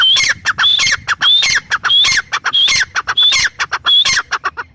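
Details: Loud grey francolin call series: high whistled note then several rough, descending squawky syllables, phrases repeating steadily at about a second and a half apart.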